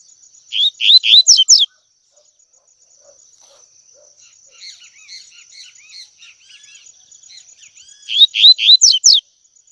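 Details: Tui tui song of a double-collared seedeater, used for training young birds to sing. The same phrase plays twice: three upswept whistles, then three falling notes. A quiet stretch between them holds faint soft twitters.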